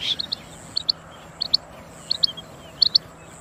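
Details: Rain quail (chinga batair) calling in sharp, high double notes, the pairs coming about every two thirds of a second in a steady run, with faint background hiss.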